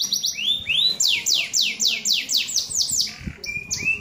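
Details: Singing canary: a few rising, arched whistles, then a series of loud, evenly spaced, steeply falling sweeps about four per second, ending in short level notes and upturned whistles.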